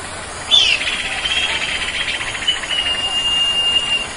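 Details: Common Iora singing in sertu style over a steady background hiss: a sharp opening note followed by a long, fluttering, trilled whistle held at one pitch for several seconds.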